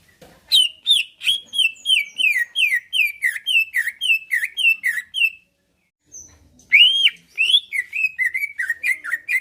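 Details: Greater green leafbird kept in a cage, in loud fighting song intended to make others reply; a long regular series of looping whistled notes roughly two per second, a short pause, then a renewed whistled burst.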